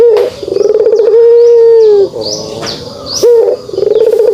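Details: Pelung dove kugeruk: a held, quavering coo of about one and a half seconds, followed by shorter, pulsing coo phrases. Brief, high-pitched chirps from other birds are also heard.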